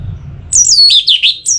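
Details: Orange-headed thrush song for stimulating birds to sing: a brief run of very high, thin whistled notes sliding downward, broken into three or four quick slurs, clear over low hum.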